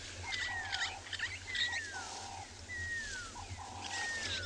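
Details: A pearl-spotted owlet on a South African game reserve, on an afternoon safari drive on 23 June 2020 near elephants, gives clear, high whistles that slide downward about once a second, over low engine hum and faint background birds. It often calls at this time of day.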